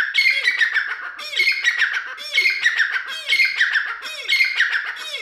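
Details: Continuous loud calling by a grey francolin: harsh, metallic repeated phrases with a swooping lower tone, rhythm steady about once per second with rapid notes within.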